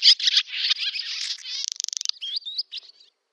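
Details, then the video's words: Barn swallow summer song, Novgorod oblast, Russia, August 2013: scratchy twittering builds into a rapid dry rattle of even pulses, then fades into a few clear rising whistled notes. "Ласточка-касатка, или деревенская ласточка Hirundo rustica, летняя песня / Barn swallow song"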